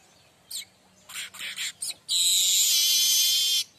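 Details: Streaked weaver song in mbeset style, meant for tutoring other weavers: a few short, dry, chattering notes, then a sustained harsh buzz lasting about one and a half seconds; a faint low hum runs underneath.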